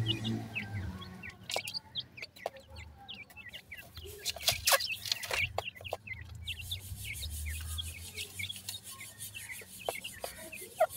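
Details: Grey francolin chicks at feeding time, a group giving many short, high, downward-slurred peeps in quick overlapping succession, with scattered sharp clicks and taps and a low rumble beneath.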